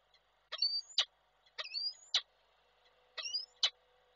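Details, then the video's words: Peregrine falcon male at Koszalin, Poland, filmed by webcam on 12 December 2023, calling for his mate. Three paired calls: a thin whistled upslur followed at once by a hard, clipped chip, spaced about a second apart, with a faint steady hum behind. "Samiec Nilę wołał, jak przyleciała to odleciał"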